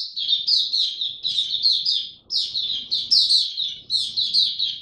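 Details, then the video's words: High, thin warbling from a caged Oriental white-eye, sung in repeated bursts of about a second each, every burst a tumbling cluster of slurred twittering notes, separated by very short gaps. "Mata Puteh Dagger ramp up form buka tiong aw sing"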